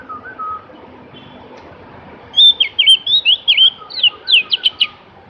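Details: Song of a Javan grey-throated white-eye: a fast, irregular string of high, sharply inflected chirps and trills lasting about three seconds, with soft lower whistles from other birds in the background.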